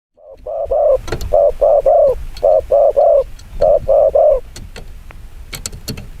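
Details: Spotted dove giving the very fast 'chiêu gù kích bổi' cooing style: low hollow coos in tight groups of two and three, about ten notes, with faint clicks behind.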